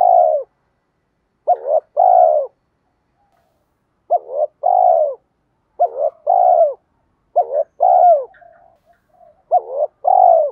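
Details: Spotted dove giving lure coos meant to stir up wild birds. Five low hooting phrases, each a quick broken double note followed by a fuller sustained coo, spaced about every two seconds in a clean, quiet recording.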